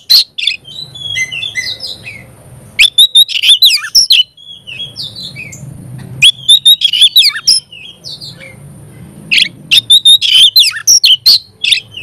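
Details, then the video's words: Oriental magpie-robin song in three loud bursts of fast, sharp, chattering notes. Between them come quieter whistled phrases and soft background hum. "Kacer gacor bikin kacer ngobra KONSLET"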